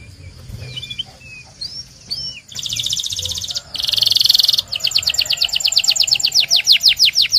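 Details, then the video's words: Belgian canary song used to train canaries. Faint scattered chirps give way to a loud buzzy trill, a dense rattling burst, then a fast series of repeated descending sweeps. "Canto de Canário 2026 Mais Procurado 🔥 Som de Canário Belga Super Afinado SEM PARAR"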